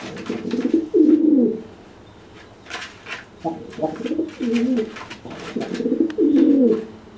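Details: A pigeon threatens a freshly bathed, wet pigeon that cannot fly, cooing and making itself bigger. Three throaty, descending coo phrases are spaced by quiet gaps.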